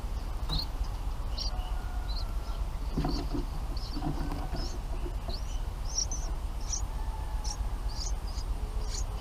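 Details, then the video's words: Baby bulbuls in their nest calling for food from the parent birds: sharp, high, upswept chirps repeated roughly every half second for nine seconds, with a steady low hum beneath and faint mid-pitched rustling. "Bulbul Parent birds brings food to feed their babies in the nest"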